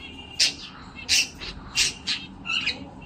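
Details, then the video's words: Cockatiel singing while dancing and playing: sharp, bright chirps and scratchy squawks in short bursts, five or six in three seconds, each loud and quickly cut off, over a steady low hum. "A cockatiel bird sings, dances and plays"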